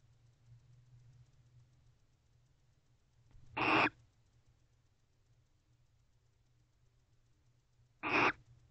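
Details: Bonded pair of barn owls in a nest box at about 3:40 am in October, preening and showing affection; two brief harsh chirping bursts about four seconds apart against a quiet background with low hum.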